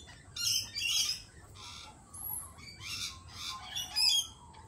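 Lorikeets give harsh, shrill screeches in quick overlapping bursts, several birds calling at once, with brief buzzy chatter between the louder shrieks.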